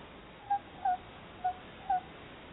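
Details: Two Tawny Owls visit a nest box in Somerset while looking for a nesting site, chattering to each other: four short, soft, evenly pitched notes spaced about half a second apart over a quiet background.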